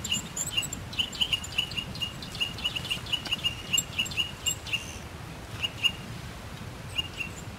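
Eurasian nuthatch singing a fast series of clear, piping whistles, about four a second, pausing and then adding a few more, over faint low background rumble.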